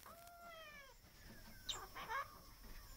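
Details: Chatty hand-reared pet Australian king parrot: a drawn-out, slightly falling tonal whine lasting about a second, then a quick burst of squeaky, chattering notes in a quiet room.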